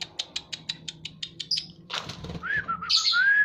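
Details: White-rumped shama in breeding condition: rapid regular clicking notes, a rough noisy burst, then rich wavering whistles rising in loudness, over a constant low hum.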